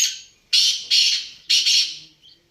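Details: Black francolin call: a fading rasp, then three loud harsh double-pulsed notes, each scratchy and grating.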